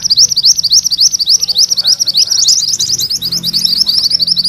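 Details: Mantenan kuning singing gacor in full rolling style, used to train magpie-robin songbirds: a continuous, fast series of high, bright chirped notes, steady at first, then denser and buzzier toward the end.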